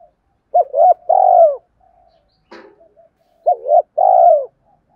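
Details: Spotted dove calling in the two-ending coo style aimed at wild doves. Two phrases, each a pair of quick hollow notes followed by a longer rolling coo, with a single faint knock in the pause.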